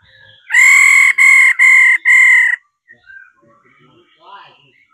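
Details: A female laughingthrush, used to stir males into song, gives four loud, strained, buzzy notes back to back. Quieter scattered chirps and twitters follow after a short gap.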